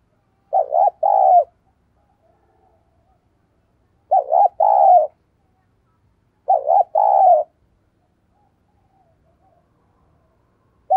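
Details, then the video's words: Decoy spotted dove giving luring coos: three evenly spaced low phrases about two and a half seconds apart, each a wavering note and a longer hum, against near silence. "Tiếng Chim Cu Gáy Thúc Gù, Và Gáy Gọi \ Giọng Sát Bổi"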